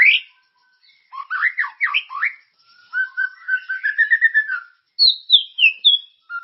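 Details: White-rumped shama song used as a lure to get caged birds singing, lively and full of character: a rising whistle, then a fast run of swooping slurred notes, a wavering warble, and high clear descending whistles at the end.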